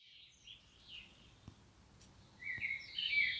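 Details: Common blackbird in the wild: two short warbled phrases early, then a louder, richer run of rising and falling whistled notes with a squeaky finish near the end, over a soft background hiss.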